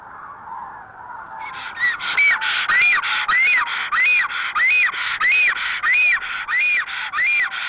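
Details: Black storks at the nest during an April mating ritual of preening, dance and mating give a steady series of squealing, arched, slightly nasal calls, roughly two every second, over a faint background hiss.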